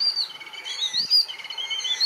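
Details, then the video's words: Yellow-billed babblers at Tissamaharama, southern Sri Lanka, a garrulous group near people, chatter in thin, high squeaky overlapping notes with sharper chirps. A sentinel often sits alone on a perch, noisily communicating with birds feeding on the ground. "although they forage in groups a sentinel will often sit alone on a perch and noisily communicate with the birds feeding on the ground"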